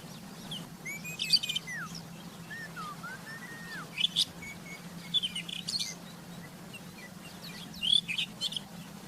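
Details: Wild rufous-tailed scrub robin delivering sparse phrases: slurred whistles that rise and fall, then short bursts of sharp high chips spaced a second or two apart, with a constant low hum behind.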